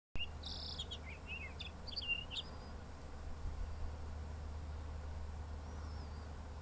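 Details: Townsend's solitaire at Arctic Valley, Anchorage, Alaska, gives a quick burst of bright, varied warbling notes lasting about two seconds, then a thin high note; a low steady rumble continues beneath.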